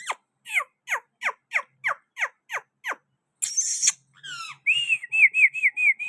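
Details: Green parrot from Pakistan at a window: nine sharp, evenly spaced downward squeaks, a burst of harsh noisy screech, then a quick series of rolling, looping whistled notes.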